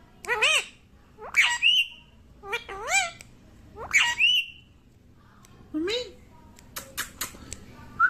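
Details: Baby parrot talking indoors, said to be saying mummy: a run of curved, voice-like whistled syllables sliding up and down, some paired, with short gaps, then a few sharp clicks and a brief rising whistle at the end.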